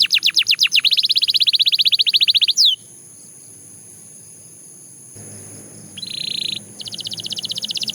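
A Belgian canary sings fast rolling trills of bright, high notes, about four per second, breaking off briefly before resuming; a faint steady hiss runs underneath.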